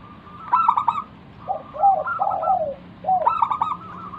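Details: Local wild zebra dove singing vigorously as a lure to draw replies from other doves: two loud stuttering bursts around 0.6 and 3.3 seconds frame lower, sliding, rolling coo phrases.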